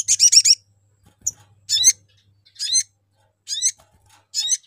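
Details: Sogon lure call to attract other birds: a quick cluster of rising twittering notes, followed by evenly spaced single sharp chirps about every second, over a faint background hum.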